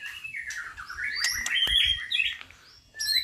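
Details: A captive White-rumped Shama, a fighting-quality bird at a relative's breeding farm, set out to sun at midday, sings a rich, varied phrase of sliding whistles and sharp chips, rising and falling through high notes, with faint background murmur.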